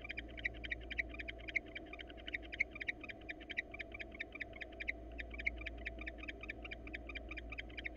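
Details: Wild female barn owl inviting a male to mate before breeding, in hot weather; rapid chittering twitters, about four per second, run steadily through the clip over a low background hum.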